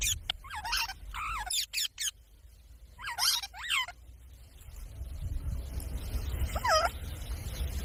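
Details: Parrot from a talking compilation, uttering several quick wavering, buzzy notes early on, then a long quiet stretch of background noise broken by one final twisting whistled call.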